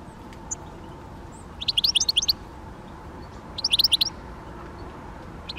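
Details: Great spotted woodpecker (Dendrocopos major) calling in two fast bursts of high, sharp ticking notes about two seconds apart, with a faint extra note at the end and a low hum underneath.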